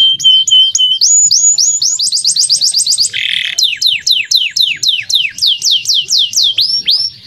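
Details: Male canary in bold, clear song, played to teach young canaries: a flat whistle, rapid trills of rising notes, a short harsh rasp, then evenly spaced falling sweeps repeated about four per second.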